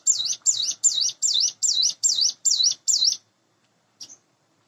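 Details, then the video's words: A hand-reared Sunda bush warbler of roughly eight months, kept in a cage, sings in the morning: eight quick high wavy whistled notes at a steady pace, then silence broken by one faint short note. "suara ciblek gunung / cigun dipagi hari"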